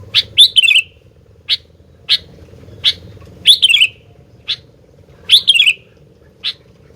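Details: Sooty-headed bulbul, described as unable to keep quiet and in full song, giving short sharp chips about every half second, with three rich slurred phrases that fall in pitch. A faint low hum runs underneath.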